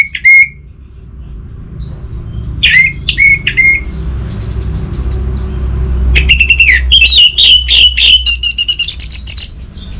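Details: Orange-headed thrush in northern Bali, Indonesia, with a few separate sharp whistles, then a long loud stretch of rapid repeated whistled notes and trills, a low traffic-like rumble underneath.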